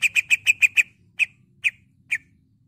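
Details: A greater green leafbird in full song, used to make other leafbirds sing and fight, gives a rapid run of six sharp high chips, then three more half a second apart; faint hum behind.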